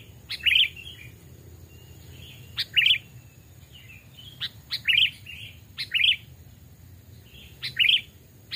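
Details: Sooty-headed bulbul, hand-reared lure bird aged two or three, singing in woodland. Loud cheerful chirped phrases come roughly every second, with sharp clicks and soft buzzy notes in between.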